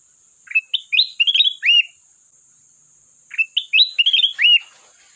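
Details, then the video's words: Sooty-headed bulbul, singing to call a rival, delivers two near-identical phrases of rapid rising and falling whistles ending on a downward slur, about three seconds apart, over a constant high-pitched background tone. "Burung Kutilang Emas Gacor isian pandai memanggil lawan"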